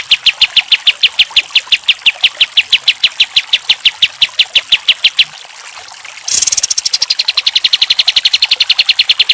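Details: Pied triller song used for training other songbirds: a rapid, steady series of high chip-like notes about three per second, a short pause, then a denser, faster run of sharp repeated notes.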